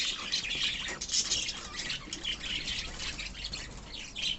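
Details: A love birds colony of budgerigars giving harsher squawking calls mixed with shorter chirps, several birds overlapping in a rough, busy chorus.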